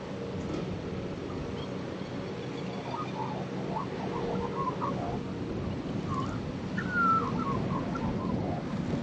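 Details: Male Australian magpie, one of a new pair, singing softly while perched and preening on a tractor seat on a windy day; quiet warbling phrases of short notes around mid pitch, with wind and low rumbling background noise.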